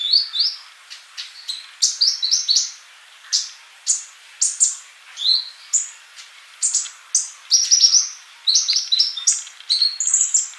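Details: Lively sunbird song recorded for tutoring caged birds: dense bursts of high chirps and quick up-slurred whistles, coming in rapid clusters and sometimes nearly continuous, with no other noise.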